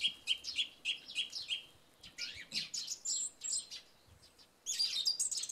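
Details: After a night of rain, a song thrush sings at dawn: one short whistled phrase repeated about six times in a row, then higher varied notes, with sparrows chirping alongside.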